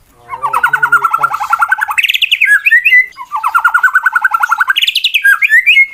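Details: Competition-grade white-rumped shama singing a fighting song meant to provoke rival birds: loud rapid trilled runs of repeated notes, rising into higher sharp whistled phrases, repeated twice.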